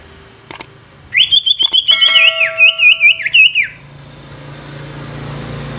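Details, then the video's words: Greater green leafbird singing to make other leafbirds sing and become agitated: a tight string of high, rapidly warbled whistles, each note bending sharply up and down, lasting about two and a half seconds, preceded by faint clicks, with low hum underneath. "Cucak Ijo Ini Mampu Bikin Cucak Ijo Lain Ikut BUNYI dan EMOSI"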